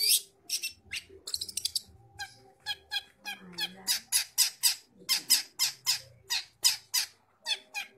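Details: Long-tailed shrike singing vigorously in Bojonegoro, giving a steady string of harsh, high chattering notes about three or four per second after a denser opening flurry, over a faint low hum.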